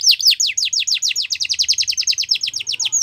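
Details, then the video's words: Yorkshire canary training song for young canaries, a rapid, even series of high descending sweeps repeated about eight times a second, steady and ringing. "Yorkshire Canary Singing | Canary Training Song"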